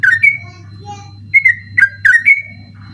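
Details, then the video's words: Sooty-headed bulbul singing at night as training song for night-contest birds: a few loud slurred whistles, some drawn out and falling, with softer low tones between and a low hum behind. "burung trucukan ropel ngotot dimalam hari cocok buat masteran ropel malam"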